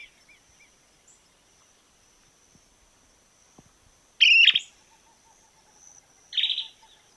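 Narrow-billed Woodcreeper giving two loud, harsh, high bursts about two seconds apart, after a stretch of near quiet with faint ticking.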